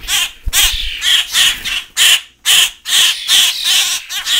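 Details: Hand-reared fledgling Common Grackles, now big, give harsh, raspy bursts about twice a second, the insistent hoarse begging of birds still demanding hand feeding in a cage indoors, with a faint low thump early on.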